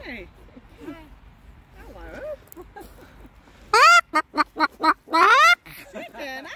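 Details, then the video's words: Pet Moluccan cockatoo at a park in summer, calling joyfully amid people's chatter: a burst of five or six sharp, loud, harmonic squawks in quick succession, then a longer rising screech. "Max Makes a LOT of Joyful Sounds"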